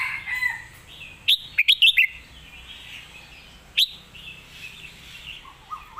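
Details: Competition red-whiskered bulbul delivering master-song phrases: a rapid run of four or five clear, liquid whistled notes, a long pause, then a single bright note, over faint background hiss.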